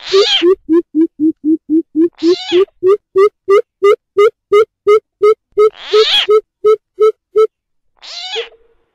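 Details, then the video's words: Greater coucal lure call: a long, fast series of roughly twenty-five deep hollow hoots on one low pitch, broken by three loud, harsh rasping bursts, and a final rasping cry after a short pause. "tiếng bìm bịp mồi"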